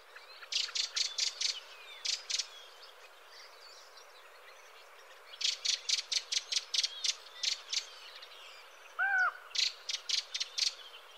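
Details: Redwing song: bursts of five to eight quick, high, squeaky notes with pauses between phrases, and a brief lower whistled call cutting in near the end.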